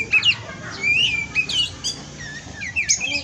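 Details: Oriental magpie-robin (kacer) from a breeding farm in Indonesia, a 'pastol' tutoring song: a clear, ringing rising whistle, then scratchy notes and several short downslurred whistles spaced out over a few seconds.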